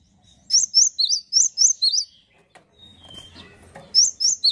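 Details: Singing male cinereous tit gives a rapid string of seven piercing two-pitched whistles, falls quiet amid faint rustling, then starts the same bright alternating phrase again.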